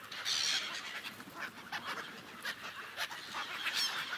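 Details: Many gulls calling together on a frozen lake: a few loud, squealing cries rise above a constant murmur of scratchy, chattering calls, with no music or speech.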